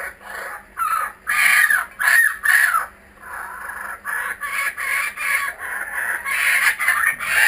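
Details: Kookaburras returned to a home area, filmed with GoPro Hero 3D and Fujifilm W3 cameras; loud, harsh, rolling bursts of cackling calls rise and fall in waves, pausing briefly before a longer, steadier chorus of chuckling notes.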